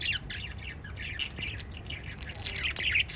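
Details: Five lovebirds of a parrot family: quick runs of sharp, high, squeaky chirps, one after another in a lively chatter.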